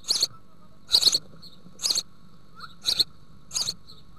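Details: A house sparrow family at a nest box in the Altmark, Germany, on 16 June 2019, with young close to fledging and fed great green bush-crickets, gives short bursts of bright chattering chirps at an uneven pace over a faint hum.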